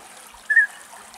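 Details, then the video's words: A European Bee-eater in Greece, one of three birds contesting a single nest, gives a single short, liquid, slightly rolling note, mid-pitched and clear, over a soft background hiss like trickling water. "Μελισσοφάγος Φωνές - European Bee-eater calls"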